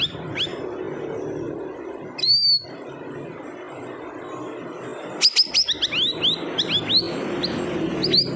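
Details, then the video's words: Siri-siri bird with a single drawn-out high whistle, a quiet pause, then a rapid sequence of sharp rising chirps and upslurred notes toward the end over low rumbling background noise. "Suara Unik Burung Siri - Siri"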